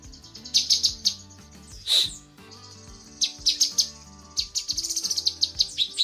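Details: Female cucak kinoi leafbird calling the male: scattered clusters of high, piercing chirps broken by a short loud squeal, with faint low background tones throughout.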